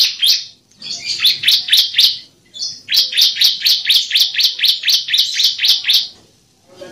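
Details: Bar-winged prinia song for training caged birds: long rapid trains of high, sharp, descending chips about four per second, broken by brief gaps.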